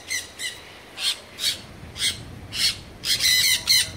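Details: Sun conures (Aratinga solstitialis) at Artis zoo, Amsterdam: harsh, high, grating screeches in rapid, uneven bursts.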